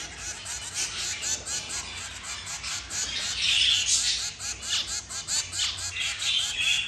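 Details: Three zebra finch chicks begging while mother and father feed them, with rapid, harsh, buzzy calls overlapping in an insistent chatter.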